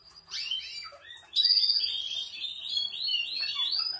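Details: Canary song, among Portuguese Harlequin, Spanish breed, Malinois and Spanish Timbrado canaries: sweeping high warbles and rolling trills, with a sudden loud, pure high note midway, then continuing rapid trills.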